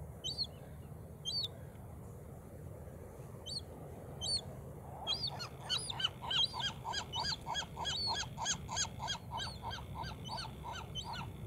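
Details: A Western Gull (Larus occidentalis) gives the classic gull call: a few thin chirps, then a fast series of loud, harsh, yelping notes.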